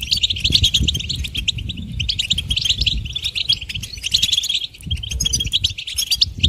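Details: A goldfinch delivers a lively run of high, rapid chirps and twittered trills with a brief dip near the middle. Faint low rumble and a short low hum are heard.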